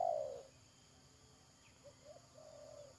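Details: Spotted dove calling during decoy trapping, 31 May 2022. A loud falling croon ends a phrase at the start, followed by a faint distant phrase of short notes and a longer coo.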